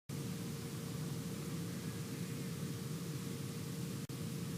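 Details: Steady broadband rumble like wind or an engine, with a constant low hum and a brief dropout near the end; no animal calls.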